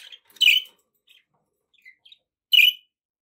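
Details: Pet budgerigars: two loud, harsh, buzzy chirps about two seconds apart, with a few faint short twitters between them in an otherwise quiet room.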